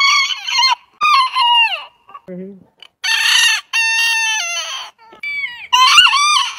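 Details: Several roosters crowing at some distance: bright, high crows with rising and falling glides, a short low cluck in a quiet gap, then more crows overlapping.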